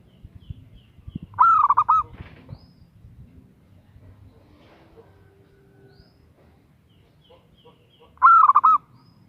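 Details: Female zebra dove calling to a male: two bursts of rapid, bubbling coos, each a quick run of rounded notes lasting about half a second, separated by a long quiet gap with faint low background rumble and a few soft clicks.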